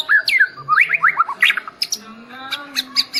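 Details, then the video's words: Medan white-rumped shama delivering a fast, varied song of rising and falling whistled slurs and clipped high chirps in quick succession, over a faint steady low hum. "Murai medan bisa sampai sujud sujud nih.. Keren pisan"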